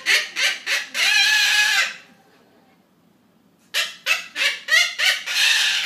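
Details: Captive Triton cockatoo laughing along with people watching a comedy: a quick run of choppy harsh syllables ends in a drawn-out rasping screech, then a pause before another burst of clipped 'ha' notes and a screech.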